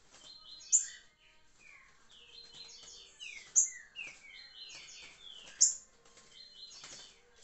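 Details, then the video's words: Rufous-bellied thrush song: varied whistled phrases with downward-slurring notes, punctuated by three sharp high accents spaced about two and a half seconds apart. "trinca-ferro liso curricutil"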